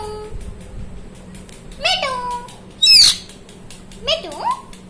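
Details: Talking parrot with a few separated utterances: a drawn-out descending harmonic note, a loud harsh screechy burst, then a warbling rising phrase, over a soft steady hum.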